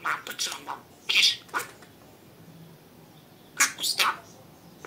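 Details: Talking pet budgerigar mimicking words in quick scratchy high bursts, with two clusters of chatter separated by a pause of about two seconds.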